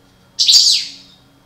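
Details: Breeding pair of parva European goldfinches; one bird gives a single loud, rasping, buzzy note lasting about half a second, fading out gradually, with a faint low hum beneath.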